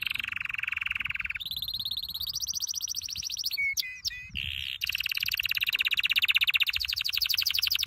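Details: Canary training song: sustained fast trills at several pitches, broken midway by a few sharp sweeping notes, then a long vibrant rolling trill to the end.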